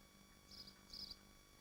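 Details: At a swift nest in Machynlleth, Dyfi Biosphere, two quick high squealing bursts, the second longer and slightly broken, sound within half a second over a quiet low hum.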